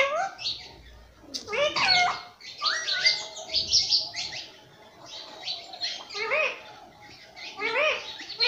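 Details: Pet green rose-ringed parakeet, kept as a talking parrot that repeats 'mummy papa', gives a nonstop run of harsh, chattering and squeaky high syllables with rising and falling sweeps, in bursts about every half second.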